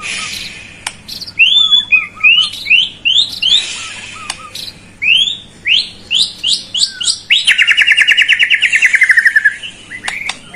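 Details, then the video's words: Murai (white-rumped shama) song used to coax a silent bird: a string of rising whistled notes repeated roughly every half second, soft low chirps, then a fast mid-pitched rattling trill. "PANCINGAN PALING JITU UNTUK MURAI YANG MALAS BUNYI"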